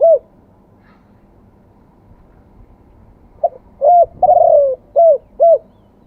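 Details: Spotted dove in the wild-voice song style ending with two kuk notes. After a brief opening note and a quiet gap comes one full phrase: soft pickup, coo, buzzy sliding croon, then two round short notes.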